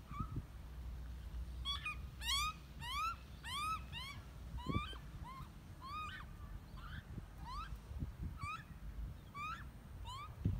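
A young Australian magpie gives a run of nasal, rising squawks, several a second, as it begs for food, over low rumbling wind and a few soft thumps.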